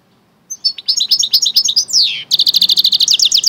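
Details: Goldfinch and canary cross sings a lively high twitter of quick chips, then a drawn-out descending slur, followed by a brisk, evenly repeated trill of bright notes.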